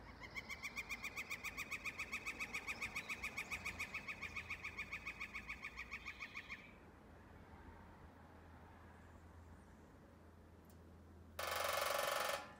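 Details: Northern flicker perched on a chimney top, pecking the tin chimney cap: a fast, even, ringing metallic roll lasting about six seconds, heard as a rattling from the fireplace, then quiet and a brief harsh burst of noise.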